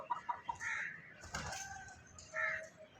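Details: Rooster in the morning: three quick clucks, then a harsh, buzzy call with harmonics, a brief flapping burst, and a second short harsh call near the end, over a faint low background hum.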